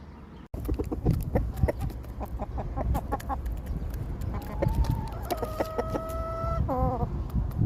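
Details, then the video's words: Rooster crowing among farm animals: a run of short clucking notes gives way to a long harmonic crow that holds level, then falls away at the end, over steady background noise. "Rooster Crowing"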